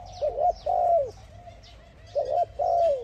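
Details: A Spotted Dove calls to another dove with soft, low cooing phrases twice: a quick wavering double coo, then a longer drawn-out falling coo, repeated after a pause.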